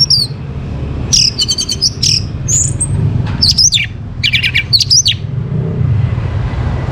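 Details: Orange-headed thrush in the morning, a lure for bringing birds into breeding condition: varied, fast whistled and chattering phrases, several loud rising slurs in succession, with low background rumble.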